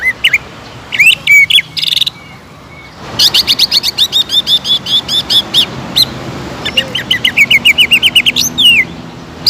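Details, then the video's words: Greater green leafbird lure song for making birds sing nonstop. Scattered sharp calls and whistles, then rapid trilled strings of high notes repeated in long runs. "PANCINGAN CUCAK IJO GACOR AGAR MAU EMOSI DAN NAIK MENTAL,LANGSUNG JAMTROK"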